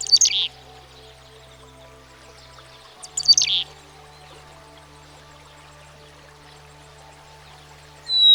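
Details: Black-capped Chickadee, a common backyard bird in America: two brief clusters of harsh, buzzy chattering notes about three seconds apart, then a clear whistled note starting at the end, with soft music beneath.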